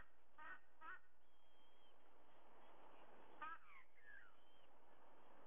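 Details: Dawn at a Sydney, Australia nest site, 30 September 2022, 05:44: a white-bellied sea eagle gives short, clipped honks, two close together and one later, while other birds whistle faintly over background hiss.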